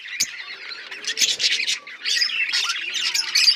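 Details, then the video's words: A flock of Australian parrots in a busy stretch of squawky, buzzy chatter, several birds calling at once in rising bursts. "Australian parrots chirping sound"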